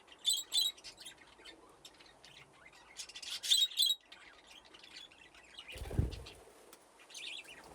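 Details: Aviary budgerigars at play near nesting boxes; rapid high chirps and scratchy warbling from several birds, louder chatter bursts early on, then a brief low thump or rustle before quieter twittering resumes.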